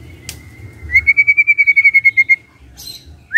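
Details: White-rumped shama singing in the morning to provoke silent birds: a thin steady whistle, then about twelve evenly spaced identical whistled notes in a quick series over a low background hum.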